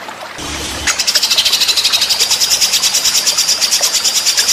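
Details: White-rumped shama song from a master training recording: after a brief low thump, a long fast series of high, sharp repeated notes pulses steadily for over three seconds.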